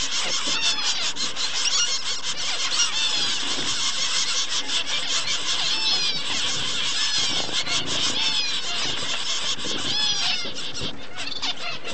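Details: Double-barred finches, an adult with chicks, interacting affectionately; thin, high squeaky notes with quick downward sweeps, given in rapid overlapping bursts over a steady hiss of background noise.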